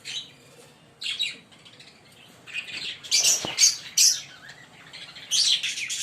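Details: Two green Fischer's lovebirds chirping in short, separate bursts of shrill, squealing notes roughly every second, with brief quiet spells between.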